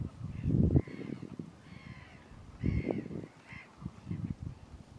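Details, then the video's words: Common mergansers in courtship on Fyrisån, 2 April 2022, early spring; mostly males in a pack chasing each other after a few females. Short arched nasal calls over low splashing bursts and churning water. "Common Merganser courtship shenaningans"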